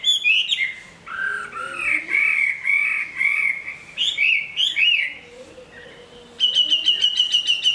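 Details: Chinese hwamei of large build, a good singer and fighter completing its new plumage. Varied whistled phrases alternate with short pauses, then a dry, buzzy, rapidly repeated trill closes the sequence.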